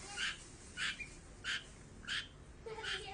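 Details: Long-tailed shrike, phone recording: five harsh, mid-pitched squawking notes spaced roughly every two-thirds of a second, each a short rasping burst.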